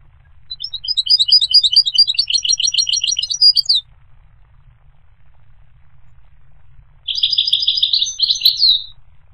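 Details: Goldfinch singing a fast, tinkling twitter of high notes for about three seconds, followed after a silent gap by a shorter buzzy, rolling phrase ending in a rising note.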